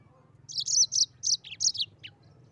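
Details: Busy rolling song of a Mozambique canary: a quick series of six or seven bright, high chirped syllables, ending in a short downward-slurred note, over a soft low background hum.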